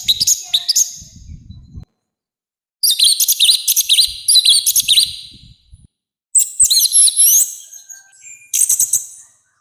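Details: Orange-headed thrush, loud harsh song used to provoke and train birds, delivered in four high, rapid bursts of mixed whistles, twitters and sweeping slurs separated by short silences; faint low rumble in places.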